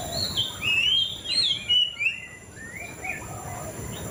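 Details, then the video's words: A white-rumped shama sings loud clear whistled phrases with sweeping slurs in the first half, then softer rising and falling notes fading out against a faint hiss. "Suara Burung Murai Cacing"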